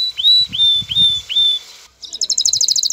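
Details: Excited male canary courting a hen: four long, pure whistled notes that each swoop up and then hold level, followed by a quick pulsing trill.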